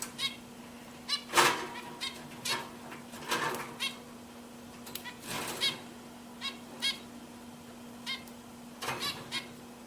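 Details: Pet zebra finches calling with irregular, short, nasal honks and beeps, some louder and broader, spread across the whole stretch above a steady low hum.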